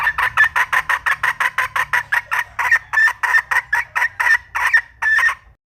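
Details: A red junglefowl hen calls in a steady series of loud, clipped clucks, about three per second. The notes sound slightly harsh and ring with overtones, and the series slows a little toward the end before stopping.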